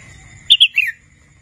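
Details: Wild red-whiskered bulbul, a young bird still learning its song, utters two quick clear chirps and a longer downward-sliding whistle. A faint steady tone and low hum sit in the background.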